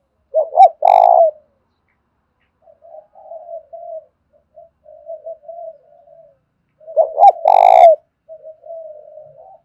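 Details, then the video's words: Lure spotted dove calling to provoke a fight, thổ pha style: two loud phrases of stuttered coos ending in a rolling note, with long stretches of soft murmuring between. "Chim cu gáy kích bổi giọng thổ pha/ tiếng thúc đấu vang cả xóm làng"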